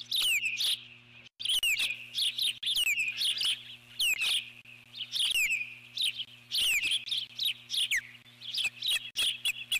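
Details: Eagle on its nest giving repeated alert calls as a large intruding bird flies past, recorded 12 July 2014: a run of sharp, high chirps and downward-sliding whistled notes about two seconds apart, over a steady high hum and a low electrical drone.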